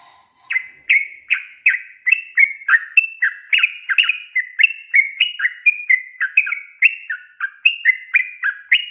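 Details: A long rolling song of the yellow-vented bulbul, played to tutor young and newly caught birds, opens with a lower brief note and then runs into an unbroken stream of liquid, slurred whistles.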